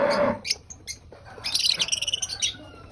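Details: Lovebird at breakfast, eating; a lower hoarse sound opens, followed by a rapid run of high, ringing, stacked chirps that fade out.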